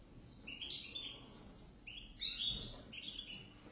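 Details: A pair of European goldfinches, sweet twittering phrases in short bursts, bright tinkling notes with a few buzzy trills, quiet pauses between phrases.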